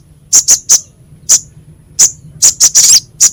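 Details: Crescent-chested babbler, masteran meant for training songbirds, rough sharp voice: irregular high, clipped chip notes, some in quick pairs and triplets, with a brief buzzy cluster near the end.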